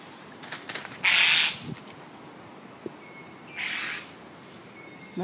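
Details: Male satin bowerbird at O'Reilly's Rainforest Retreat, holding a small blue object in his beak and calling to a female. Two harsh, buzzy bursts come about two and a half seconds apart, with thin faint whistles between.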